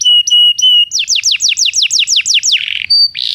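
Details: Belgian canary song used to train canaries that do not sing: three high whistled notes, then a fast run of about a dozen repeated descending sweeps, ending with a short pure whistle and a buzzy note.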